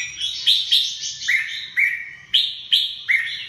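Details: Red-whiskered bulbul singing short, bright whistled phrases, each opening with a sharp upward flick and settling into a warbled note, repeated roughly every half second to second in a lively run.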